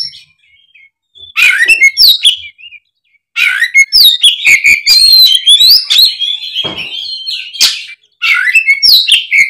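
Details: Fighting-mode Oriental magpie-robin pouring out its mimicked fill-in phrases, a lure for sluggish magpie-robins. Rapid dense bursts of high chattering, sliding whistles and clicks run for several seconds, with brief pauses between bursts.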